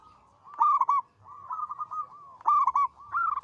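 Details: Actively singing local zebra dove with a loud, long, sweet voice: a bright burst of clipped notes, a softer bubbling run, then another loud burst and a trailing phrase.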